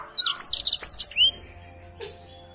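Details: Canary singing energetically: a rapid burst of high, sweeping whistled notes and short slurred phrases lasting about one second, then near silence with a faint note later; steady low electrical hum underneath.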